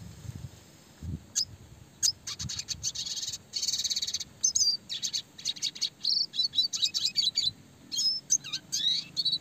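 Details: Classic red siskin song, clear and fast, with rolling and shooting phrases meant for training small songbirds; continuous dense run of high twittering notes, buzzy trills and upslurred whistles, almost unbroken for several seconds.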